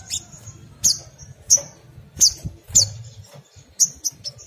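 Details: Crimson sunbird, a chattering song played as a lure to prompt other sunbirds to sing. Sharp, very high chipping notes come about every 0.6 to 0.7 seconds, each with a short descending tail, over a faint low hum.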